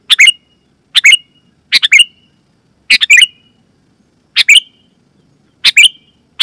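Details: Clear, loud Sooty-headed bulbul call for luring wild bulbuls and prompting home birds: seven short chattering bursts of two or three bright notes, some tailing into a thin whistle, spaced irregularly.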